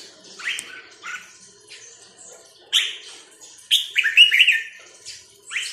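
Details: Red-whiskered bulbul in a cage giving lively whistled phrases, each a quick slurred burst with sharp upward flicks, separated by short pauses, in a fairly quiet setting.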